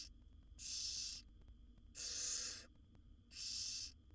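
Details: Begging from wild barn owl babies, seven in a monitored nest box as their mother feeds them: three drawn-out, raspy, hissing snores, each lasting over half a second, separated by brief pauses.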